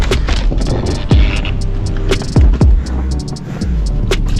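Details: Low rumbling hum and throbbing with a few sharp downward-sweeping thuds and clicks, like wind and handling noise, with no animal voice.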